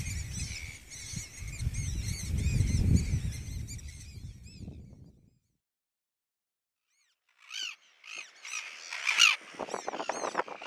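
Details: Black-fronted terns on a New Zealand braided river, with a nest being predated by a Southern black-backed gull, give rapid, high, squeaky chips in a busy stream over heavy wind rumble, then a brief silence and more calls.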